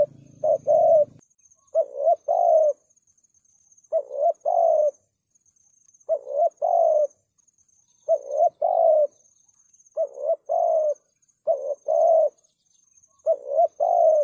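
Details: 'Thúc gù' cooing of a spotted dove, used to provoke rival males: steady run of paired coos, quick short note into a longer mellow one, repeated roughly every two seconds; a brief low hum at the start and faint high hiss.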